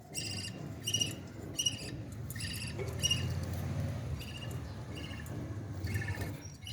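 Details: Baby parrot being fed, giving short squeaky harmonic calls in quick bursts, roughly one every second, over a steady low rumbling background.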